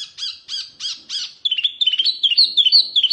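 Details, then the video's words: Oriental white-eye, a small wambi type, singing fiercely: four quick buzzy, harsh notes, then a fast run of sweet, rapid high twittering chirps around three to five kilohertz; Oriental white-eye. "Kicauan OK wambi mini GANAS"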